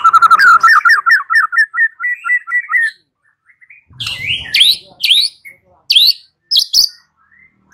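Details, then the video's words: Lure song of a white-rumped shama, meant to prompt a bird to reply and sing: a run of rapid repeated mid-pitched whistled notes, then a pause and a few loud, sweeping high notes. "Pancingan Murai batu"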